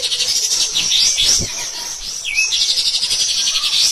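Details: Pied triller from a training recording for other cage birds, delivering a coarse, unrelenting song: continuous high buzzy chatter with a single downslurred hooked note midway.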